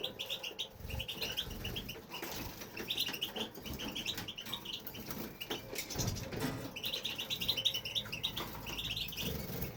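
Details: Caged male European goldfinch singing in an aviary: bursts of fast tinkling twitters and chirps, a short lull mid-way, then another lively run of high notes over low background rumble.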